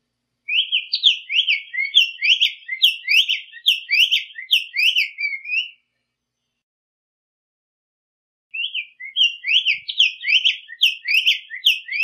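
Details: Black-faced tanager (Schistochlamys melanopis) singing in the wild: two bursts of quick, bright, slurred whistled notes, each about five seconds, separated by a short pause.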